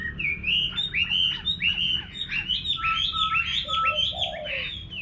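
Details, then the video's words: Chinese hwamei singing in a rural garden, a steady series of loud, slightly buzzy whistled phrases repeated about twice a second, with a few lower, softer notes from another bird near the end. "Nghe Chim Họa Mi Hót"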